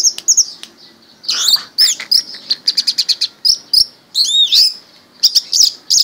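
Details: Orange-headed thrush kept caged since youth, giving clusters of high, scratchy chirps and quick repeated ticking notes, with short pauses and a looping, warbled phrase near the end.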